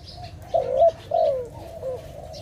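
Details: Dove from a bird-trapping scene giving two soft low coos, the second longer and sliding downward, then a faint trailing note, with a low rumbling background.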